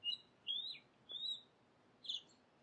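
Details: House sparrows at bath time give four bright, short chirps at an uneven pace over under three seconds, some slurred, against a quiet background.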